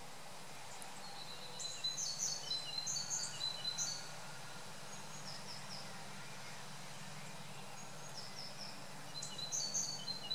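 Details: A common starling eating ants on an old hollow cherry tree, 15 June 2013, gives short bursts of high, thin chirps and squeaky chatter in two spells a few seconds apart, over a steady low hum.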